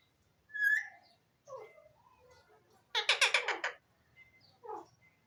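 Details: Talking Alexandrine parakeet (pahari tota) kept as a pet: a brief whistled note, soft low murmuring notes, then a harsh stuttering chatter burst, over a faint low hum.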